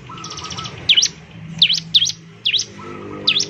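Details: Bar-winged prinia sounds for provoking song in other birds: a quick buzzy rattle, then sharp V-shaped double chirps repeated about every half second, over a faint low hum.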